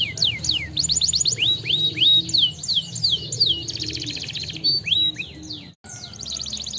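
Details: Canary song meant to stimulate lazy canaries to sing: rapid high whistled sweeps falling in pitch, buzzy trills and rolling phrases, with a low steady hum beneath.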